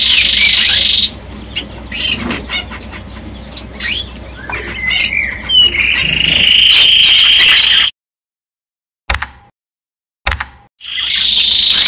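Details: Melodic song of a male yellow canary: scattered chirps and short notes lead into a long, high, steady trill, broken by a couple of abrupt silent cuts before the trill resumes.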